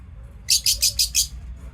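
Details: Lovebirds in their daily routine: five loud, harsh, high-pitched chirps in quick succession, about one every fifth of a second, over a low background hum.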